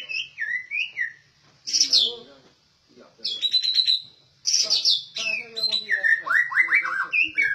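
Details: Rare, well-trained captive white-rumped shama singing loud, clear whistled phrases. The song mixes wavering, sliding notes with high buzzy bursts and ends in a fast series of descending slurred whistles. It pauses briefly between phrases.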